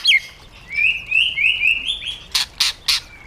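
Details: Wild-style song from a caged white-rumped shama: a high opening note, then a chain of bright, level whistles, followed by three loud, harsh clicking bursts and a final thin whistle.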